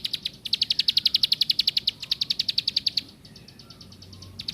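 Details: Plain prinia (ciblek sawah) singing a fast, sharp series of high chirps, about four per second, in two bursts of steady repeated notes that stop after three seconds, then a few faint notes.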